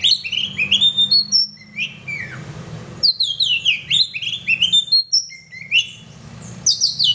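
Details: Gacor singing from an oriental magpie-robin: loud, varied whistled phrases of quick rising and falling slurs and high chirps in bursts, with short gaps between runs, over a faint low background hum.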